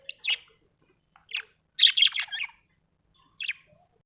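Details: Budgerigar described as happy, giving short scratchy chirps, a burst of rapid warbled chatter in the middle, and a final single chirp after a pause; quiet background.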